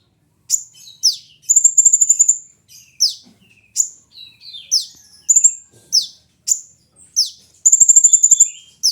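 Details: Sunbird song used as a lure and master song for training other birds: very high, thin downward-sweeping squeaks alternating with rapid buzzy trills held on one pitch, phrases every half second or so, in a quiet background.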